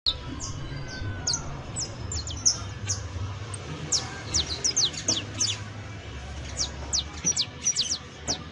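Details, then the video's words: Saffron finch, known locally as canario basto or canario criollo, giving its professional-style song: rapid series of thin, high downslurred chirps, irregularly spaced and clustering into bursts toward the end, over a low steady hum. "CANTO PROFESIONAL DE CANARIO BASTO [ASÍ CANTA UN CANARIO BASTO PROFESIONAL"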